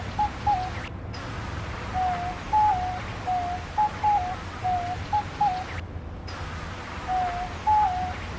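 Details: Diamond dove, native to Australia, giving soft two-part cooing notes, each a higher note dropping to a lower one, repeated roughly every half second to second with brief pauses, over a low steady hum.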